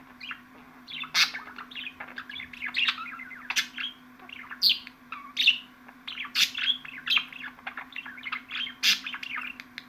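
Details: Budgerigar warbling continuously, a rapid stream of high twittering chirps punctuated by sharper, louder clicks and squeaks every second or so, over a faint constant hum.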